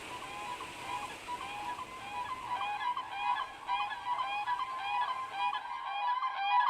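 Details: Siberian cranes in frosty March air at Oksky Reserve, Brykin Bor, Ryazan region, give clear, fluting calls in quick repeated phrases, several birds overlapping, a flock calling as breeding time nears, with a low background hum.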